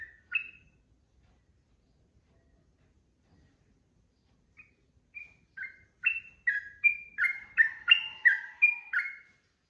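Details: Sooty-headed bulbul delivering 'ropel' song for training caged birds. One whistled note, then quiet, then a building stream of quick slurred notes that grows louder and denser near the end.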